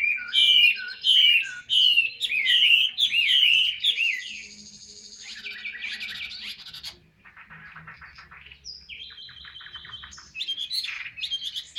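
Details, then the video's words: Ngũ trường cao cầu song from a caged Chinese hwamei: strong looping whistles repeated about every half second, then a long high trill, rattling buzzy passages and quieter repeated notes near the end. "HM 230 ngũ trường cao cầu"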